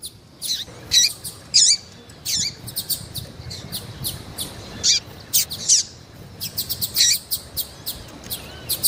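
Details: Female double-collared seedeater calling eagerly and persistently to stimulate males; short, sharp, high chirps in irregular bursts, some in quick doubled or tripled runs, with faint background hiss.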